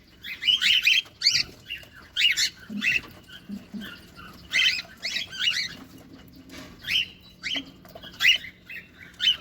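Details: Feeding cockatiels in a cage give rapid, scratchy chirps in clusters, some doubled, spread irregularly across the stretch, with light rustling and a soft background hum.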